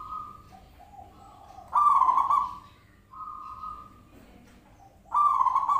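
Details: Zebra dove lure to get other birds to respond: soft, steady tones that break into loud, rattling coos, two coo bursts about three seconds apart.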